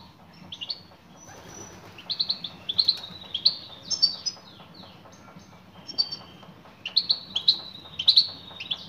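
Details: Female European goldfinch calling to a male. Bright, high twittering chirps come in short bursts of two or three notes, with pauses of about a second between groups. A faint low hum sits underneath.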